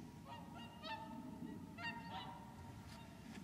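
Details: Whooper swans wintering at Lac du Der, Champagne, France, 30 January 2014, give several loud, brassy trumpeting honks in quick irregular bursts over a low rumble of wind.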